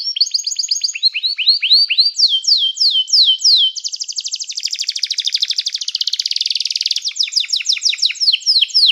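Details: Canary song meant to call other canaries to sing, used for training: series of downward-slurred whistles, then a very fast rattling trill, ending with repeated sweeping high notes; clean recording with no other sounds.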